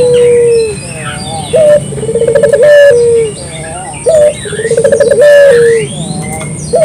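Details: Puter dove lure call repeated about every three seconds: a level coo, a brief rising note, a purring rolled series and a long falling coo. High songbird calls twitter in the background.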